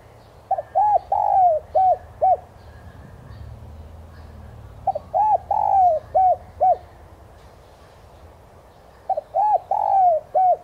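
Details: Spotted dove coos used as a lure to push freshly caught birds to call; three identical phrases spaced a few seconds apart, each a quick double pip, arched coos, a long descending note and two short final coos.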